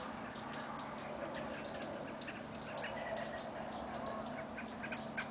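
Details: Canada geese give nasal honking calls just after sunset, over a busy dusk chorus of robins and other songbirds chirping quickly and continuously.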